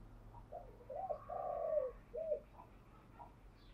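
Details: Spotted dove song for rousing and training decoy birds: faint low coos in a short phrase, two quick notes, a longer stressed middle coo, then a closing note, with a quiet background hum.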